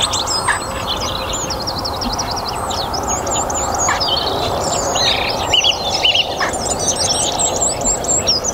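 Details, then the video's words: Song thrush at the end of a sunny, warm spring day in a North Antrim garden: fast repeated high notes in short bursts, broken by pauses, with other birds singing steadily behind. "Song Thrush - evening chorus in my North Antrim garden."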